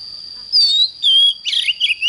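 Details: An oriental magpie-robin sings in the morning: two pure falling whistles, then a short burst of harsh, scratchy warbling, over a thin continuous high tone.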